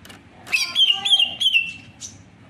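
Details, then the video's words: Greater green leafbird singing a rich run of whistled, slurred notes around two seconds long, ending in a thin high chip, over a faint low background hum. "Beautiful singing bird Greater green Leafbird / Sound of Leafbird"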